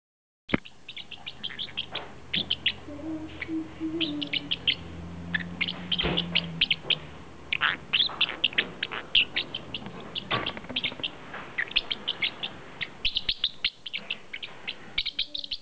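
A budgerigar chirps steadily with quick, high, scratchy notes in a busy chattering stream.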